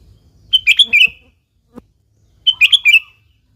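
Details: Sooty-headed bulbul giving energetic gacor song used to lure bulbuls into singing: two rapid, liquid phrases of four or five tumbling notes, two seconds apart, with a tiny click between them.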